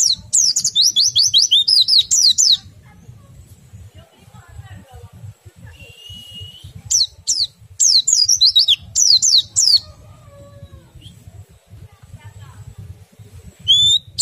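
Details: Oriental white-eye song to stimulate other white-eyes to sing: dense bursts of rapid high descending chirps, separated by quiet gaps with a single steady whistle.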